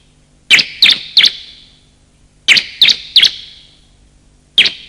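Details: Male and female bar-winged prinia calls used to attract wild birds: groups of three sharp, downslurred high chirps, repeated after a gap, then a lone chirp, with ringing decay.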